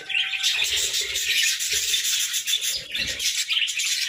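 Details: Morning chorus of pet budgies: steady, bright overlapping chirps and twittering warbles from a group of birds, with a few soft low thumps, possibly wing flaps or movement, underneath.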